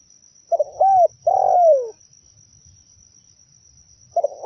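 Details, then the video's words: Cooing zebra dove used as bird-trap lure: quick stuttered trill notes leading into a long rolling coo that drops in pitch, another phrase beginning after a pause, with a faint electronic whine. "Suara pikat burung perkutut paling mantap"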